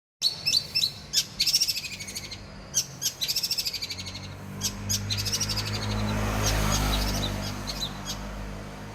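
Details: Long-tailed shrike singing Armageddon-style material with a laughing ngekek phrase: sharp, high, harmonic-rich repeated notes in quick bursts for about four seconds, then scattered notes over a broad rushing noise, with low hum throughout.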